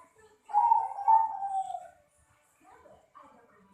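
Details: Bangkok-type zebra dove (perkutut) wearing leg ring PB 68, its voice praised as solid 'jian': a drawn-out, slightly wavering mid-pitched coo lasting over a second and gently falling, followed by softer short notes.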